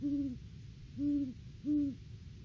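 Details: Great horned owl pair duetting at their nest tree on a live cam in the off-season, December 3, 2022, before February egg laying; three low, deep hoots spaced about a second apart, each slightly rising then falling.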